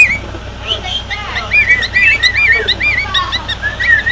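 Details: Loud sooty-headed bulbul, six years old, giving a rapid stream of high, looping whistled notes, bubbly and slurred, rising and falling continuously over a faint steady hum.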